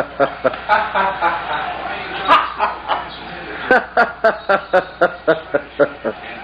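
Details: A pet scarlet macaw talks to its owner: a hoarse harmonic babble, a louder squawked syllable near the middle, then a quick run of about ten short, evenly spaced 'hi'-like notes, with laughter nearby.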